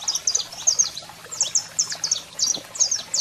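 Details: Saffron finch, male singing and female calling, played to fire up birds: short burst of high, piercing chirps in quick pairs and triplets, each note a fast downward flick.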